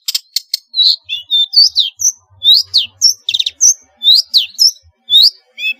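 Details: Lively long-tailed shrike song rich in varied fill-in phrases, meant to prompt quiet shrikes to sing; clear whistled slurs rising and falling mixed with brief chirps, with faint low thuds underneath.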